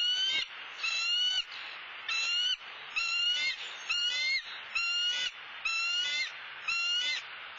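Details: At a Southwest Florida nest filmed by a live cam, bald eagles calling after the male delivers a soft-shelled turtle; a long run of about nine piercing, harmonic, faintly upslurred notes, evenly spaced near one per second.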